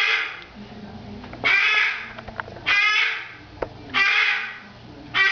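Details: Female pet cockatoo screaming at home, as she does first thing every morning and last thing every evening, after about five minutes of calling; loud harsh raspy screeches in bursts roughly every one to two seconds, with faint background clicks.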